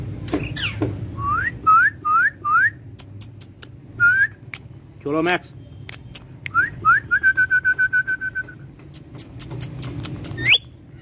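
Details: Talking parrot kept as a pet producing a varied run of short rising whistles, sharp clicks, a buzzy note and a rapid stuttering trill of evenly spaced pips, with faint voices and a low hum behind.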